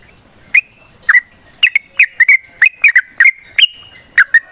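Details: Wild trucukan, the yellow-vented bulbul, in a lively 'ropel' long-run song for luring. Clear, bubbly warbled notes start sparse, then come in quickening clusters, with a quiet background.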